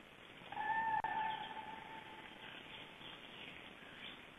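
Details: Cranes passing over a Black Stork nest in Estonia in April give one brief, rolling trumpeted call with a sharp click partway through, then fainter distant calling and hiss.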